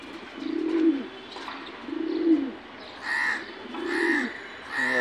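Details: Loft pigeons giving low, soft rolling coos, each about half a second long, repeated every second or so.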